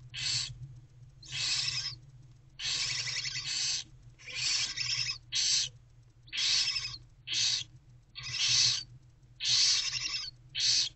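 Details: Nest-box barn owl owlets at about 4 am on 11 February 2024, mother away: rasping, hissy screeches of roughly a second each, repeated about once per second over a low steady hum.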